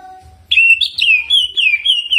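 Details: Greater green leafbird kept in a cage, singing a jamtrok song with ciblek mimicry. A faint steady tone first, then loud whistled phrases that wobble up and down in rapid succession.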